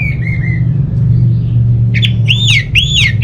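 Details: Orange-headed thrush, a kept bird from Bali, singing to prompt idle home birds into song: a thin whistle at the start, then loud arched slurred whistles repeated about every half second over a steady low hum.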